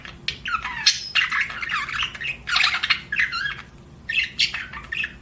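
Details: Pet budgerigars chirping indoors: a busy run of bright, warbling chirps and squawky notes, coming in bursts with short gaps, with a faint low hum underneath.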